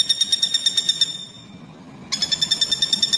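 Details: Common flameback known as pelatuk bawang, used as a songbird tutor recording; a fast run of bright, nasal notes stops for nearly a second, then restarts at the same rapid, even rhythm.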